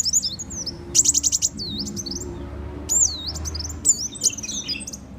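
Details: Sunbird lure call for catching birds: high, thin swooping whistles alternate with short bursts of four or five clipped ticking notes, separated by brief pauses; low background hum throughout.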